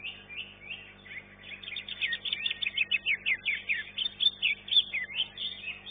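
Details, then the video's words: Greater green leafbird (cucak ijo) performing in a bird singing contest: quiet twitters build into a loud, rapid chain of chattering and whistled notes in the second half. "CUCAK IJO"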